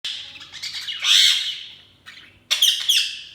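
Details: Budgerigar chirping: a bright warbling chatter around one second, fading, then a sharp burst of squeaky chirps near the end.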